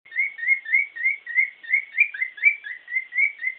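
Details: A bird singing what is described as its happy song: a steady run of short, mid-pitched chirped whistles, about three or four per second, each slightly slurred, with a clean quiet background.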